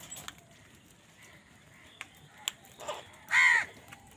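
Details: Crow fighting for food gives one loud, harsh, drawn-out caw near the end, preceded by scattered clicks and faint distant calls over steady background noise.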